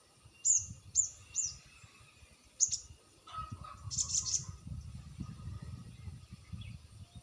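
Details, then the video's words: Crested jay lure recording aimed at making quiet birds respond: evenly spaced sharp, very high ticking notes, then a quick triple burst, over constant low rumble. "sogon bisu dijamin nyaut dengan pacingan burung sogon ini"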